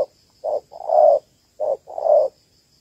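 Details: Female spotted dove, Malaysian type, calling to draw males for a ground trap; two pairs of mellow, low coos, each a clipped note then a longer, slightly falling croon.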